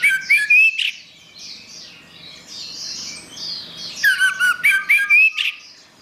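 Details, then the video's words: Orange-headed thrush song with quick whistled rising and falling notes and squeaky trills, a quieter softer passage in the middle, then another strong phrase. "Suara Anis Merah"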